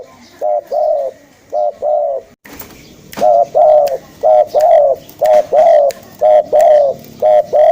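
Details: Spotted dove luring call, a run of coo phrases, each two clipped notes leading into a longer mellow coo, repeated about once a second, with light clicking noises behind.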